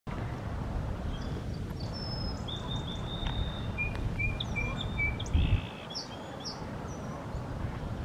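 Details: A male song sparrow in Ottawa in spring, April 2023, sings close by: a faint, high phrase of clear whistled notes and a held tone, then a brief buzzy trill, over steady low wind or traffic rumble.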